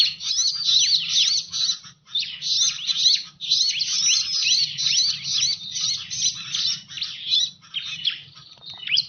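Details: Bar-winged prinia calling as a lure for birds, a long stream of high, rapid, scratchy chirps and whistled slurs with two short pauses, steady low rumble beneath throughout.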